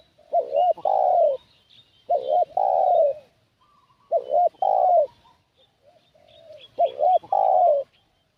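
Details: Spotted dove used as a decoy for catching wild doves, cooing repeatedly: four phrases of short looped notes plus a long falling coo about every two seconds, with fainter distant coos between them.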